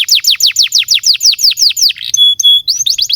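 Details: Canary song used to prompt and tutor young canaries to sing: a fast series of downward-sweeping whistled notes, about five per second, then a sustained pure whistle and rapid rising chirps.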